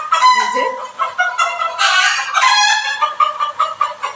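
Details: Several desi hens, kept in a large coop on a city rooftop, huddle together and give loud, harsh squawks and cackles in an agitated chorus, frightened at a person's arrival, with a man talking over them.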